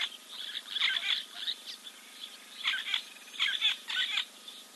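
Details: Giant kingfisher preening at Kings Camp waterhole, Timbavati Game Reserve, Kruger National Park, South Africa, 04.02.2024, on a live nature camera; bursts of harsh, grating notes in clusters, with short gaps between groups.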